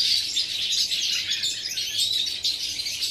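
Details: European goldfinch recorded on 11 September 2018, giving a continuous high, tinkling twitter of dense chirps and trills without pause.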